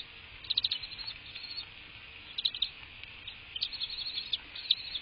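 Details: Bald eagle calling at the nest, recorded by a live cam during the 2024 season on a March morning. High, piping chirps come in short bursts, several clustered notes at a time, over faint background rumble.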